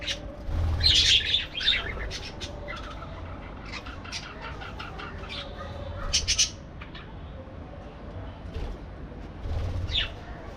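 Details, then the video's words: Parakeets kept in an aviary give a loud squawking burst at the start, then scattered chirps and short harsh notes over a low hum. "parakeet sounds"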